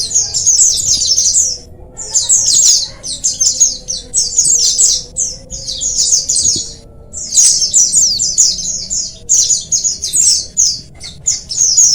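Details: A colony of oriental white-eyes, whose sound serves to stimulate lazy birds to sing: bright, very high twittering in dense bursts of one to two seconds separated by short pauses, with a low humming background.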